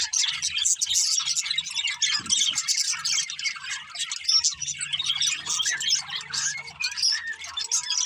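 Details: Several happy budgerigars singing and playing, a dense, continuous chatter of high twittering chirps and scratchy warbles, with quick squeaky notes overlapping throughout and faint low hum beneath.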